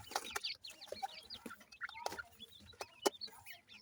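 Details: Chicks of grey francolin, the local teetar, giving dense, high, slurred peeps and chirps in quick, overlapping bursts, punctuated by loud knocks and clicks.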